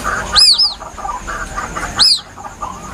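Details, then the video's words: Young White-breasted waterhen giving its plaintive call, recorded as a hunting lure: a quick pair of high arched peeps, then a single one after a pause, over a thin constant whine. "Suara anak burung ruak ruak asli nelangsa"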